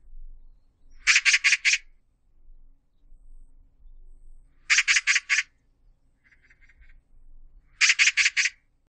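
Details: Magpie calling: three bursts of four harsh, rapid chattering notes each, spaced about three seconds apart, with a faint softer chatter between and low rumbling background noise.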